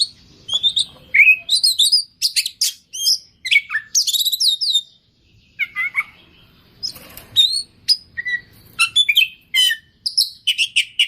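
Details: Oriental magpie-robin in full 'gacor' song packed with 'isian' fill-in phrases, used to prompt silent birds to answer. Loud, varied high whistles, sharp chirps and buzzy trills in quick bursts separated by brief pauses, with a short gap mid-phrase.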